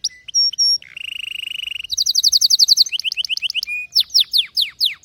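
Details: Canary song made of varied rapid trills: high whistled notes, a low buzzy rolling tour, fast bright repeated phrases, then steep falling slurs, all clear and loud.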